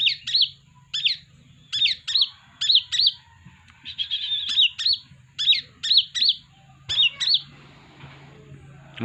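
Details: Brown-breasted Kolibri ninja sunbird kept at home, used as a lure: paired high, sharp chirps repeated steadily, each a quick downward-slurred tweet, with a low hum beneath.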